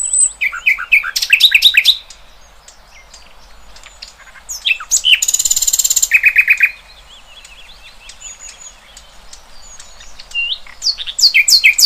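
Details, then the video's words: Wild birds singing outdoors: bursts of rapid chirps and rising trilled phrases, then a loud buzzy rattle around the middle, followed by quieter scattered chirps and a renewed chattering flurry at the end. "Kicauan Burung Cerminkan Suasana Damai"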